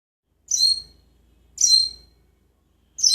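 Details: Captive parrot in Jeddah that talks, sings and imitates sounds gives short, bright, harsh chirps, high and buzzy, three separate notes spaced about 1.2 seconds apart in a quiet room.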